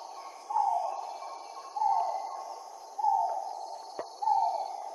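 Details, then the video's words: Great argus calling: a loud, mid-pitched note that starts high and slurs downward, repeated about every 1.2 seconds, with a faint steady insect hum and a few thin whistles in the background. "Фазан аргус"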